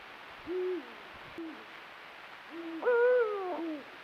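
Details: Eurasian eagle-owl in breeding season on a full-moon night, part of a pair's nightly courtship. Short, deep, level hoots with downturned ends, then a louder, longer harmonic call that slides down and fades.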